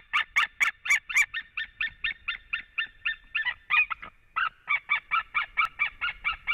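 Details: White-tailed eagle pair at a Latvian nest, 7 March 2017 at 15:27. The male arrives in a happy reunion with the female. Rapid series of loud, yelping, slightly nasal notes, about four per second, continuing without a break for several seconds.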